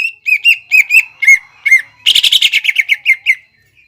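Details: Greater green leafbird singing in the rapid 'nembak ngekek' style, used as a lure for young leafbirds to answer and copy: clear whistled notes repeated about every third of a second, then a fast burst of higher chattering notes settling back into whistles.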